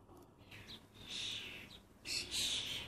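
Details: Clumsy, excitable common starling fledglings in Lancashire make short scratchy calls, then a sustained wheezy rasp, with a louder harsh burst near the end.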